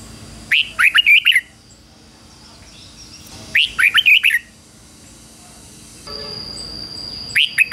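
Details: Red-whiskered bulbul decoy singing to provoke wild birds: two full phrases of fast, bright, warbled notes about three seconds apart, then the start of a third, with faint distant chirps and a thin high tone behind.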